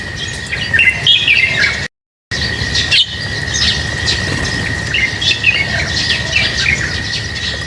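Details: Lovebirds chirping at feeding time: dense, fast, high chirps, nearly four a second, interrupted by a short silent gap, over a persistent high-pitched hum.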